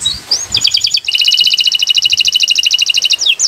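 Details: Owor-owor uhuii style canary song meant to tutor caged birds: brief rising whistles, then a sustained rapid trill of evenly pulsed high notes, rattling steadily for over two seconds before a final upward slur.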